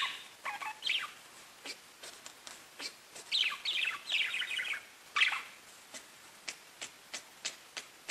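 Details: Pet budgies chirping, kept as caged birds: scattered short high chirps and bursts of rapid rising-falling chattering warbles, with brief busy passages between quieter clicks.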